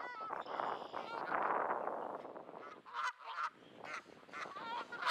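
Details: Grumpy geese at Sainte-Adèle, Canada, on an overcast 15°C day in May. Rough broadband noise comes first, then several clipped, nasal honks break through, some coming in quick pairs.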